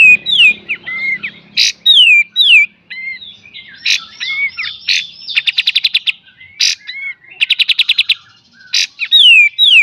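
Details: Master song of a cream-vented bulbul (kapas tembak) with full 'beset' and 'tembak' delivery for teaching songbirds. Rapid falling whistles open, then explosive chip notes and two fast rattling trills of repeated clicks, ending in further slurred whistles.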